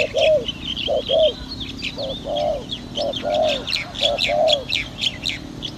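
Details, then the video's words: Spotted dove calling behind house plants, used for luring: paired coos, a short note followed by a longer rolling coo, repeated about every second, with thin high chirps of small birds throughout. "Pikat burung terkukur2022"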